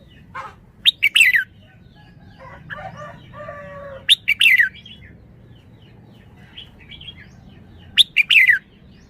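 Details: Red-whiskered bulbul repeating the same bright, sharp, downslurred phrase about every three and a half seconds, three times in all. Softer, lower warbling fills the gaps between phrases.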